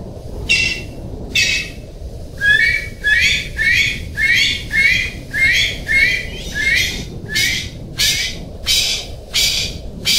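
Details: Golden pheasant calling: a long run of grating, rasping notes about one per second, many starting with a brief upward-sliding squeak, with a steady background hiss.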